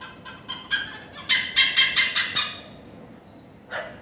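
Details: Great hornbill calling in Assam: a loud, harsh burst of five or six quick, rich notes in the middle, with softer single notes before and one isolated note near the end.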